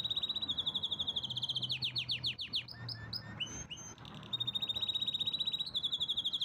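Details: Powerful canary song: steady high rolled trill, then a run of fast descending sweeps and varied chips, a short pause, and a return to the sustained pulsing trill; low hum underneath.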